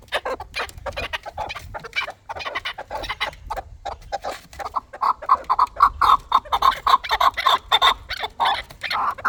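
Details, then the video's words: Chukar partridge call beginning with quiet, ragged clucks and swelling into a loud, regular chant of short, harsh notes, about two per second. "Кабки Дулани чанги"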